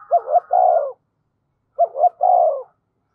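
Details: Decoy spotted dove, described as fast to provoke and coo, repeating the same phrase twice: two quick clipped hoots followed by a longer, mellow, slightly falling coo, about two seconds apart.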